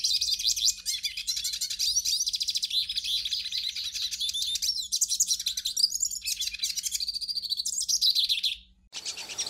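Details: Hooded siskin song used to warm up a captive bird: a continuous, rapid high twittering of buzzy trills and quick chirps that runs almost without pause for nearly nine seconds, then breaks off briefly.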